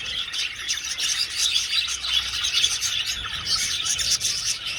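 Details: In an old aviary, flying budgerigars keep up a lively chorus of sharp, repeated chirps and rasping warbles, many birds calling at once.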